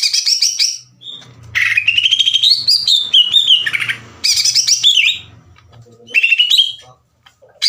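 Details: Greater green leafbird singing as a lure for other leafbirds. High chattering phrases lead into a long rising and falling whistled run, then more scratchy bursts. A low rumbling hum lies under the middle section.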